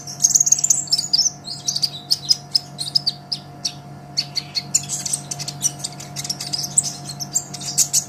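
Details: ['Olive-backed sunbird singing hard, recorded as a songbird training master: nearly continuous, very high, fast chattering and trilled chirps, with a brief gap around the middle and a faint electrical hum beneath.']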